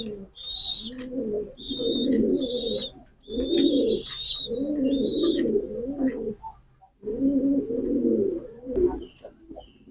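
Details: Repeated deep pigeon coos, each a rolling purr lasting about a second, separated by brief gaps, while small birds chirp in high thin notes throughout.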